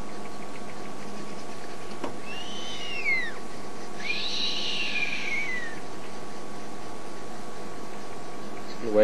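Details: Adult Verreaux's eagle owl, or giant eagle owl, at Djuma on 31 March 2008, giving a hungry call likened to a young owl begging from its mother: two drawn-out whistled notes curving downward, about two seconds apart, over faint hiss.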